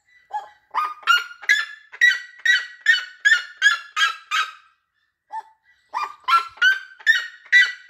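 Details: Red-legged seriema song: strident yapping notes starting low and climbing, then a steady string of loud harsh yelps, a quiet gap, and another ascending series of yelps.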